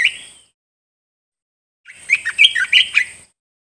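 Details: Caged bulbul song for training other caged birds: one short whistle, a gap, then a rapid tumbling phrase of clear rising and falling notes over a faint steady high hum.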